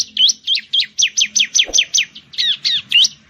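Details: Bar-winged prinia, known locally as ciblek, an Indonesian songbird of plantations, paddies and villages; fast series of loud, high, sharply slurred chirps repeated about four per second without break.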